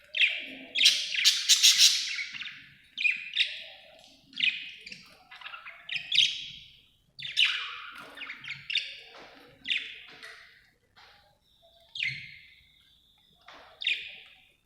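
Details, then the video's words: Contented pet budgie chattering busily, with dense scratchy chirps and warbles in quick bursts, loud at the start, then repeated phrases with brief pauses throughout. "happy budgie chirping sound"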